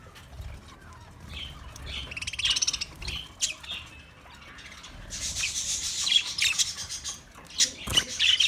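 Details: Budgerigar chirping for a lonely bird: soft scratchy twitters at first, then a loud, dense wash of buzzy chatter and sharp chips in the second half, with a sudden click-like burst.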